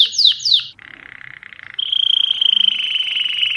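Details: Mosaic canary giving two quick falling whistles, a low buzzy rattle, then a bright sustained high trill.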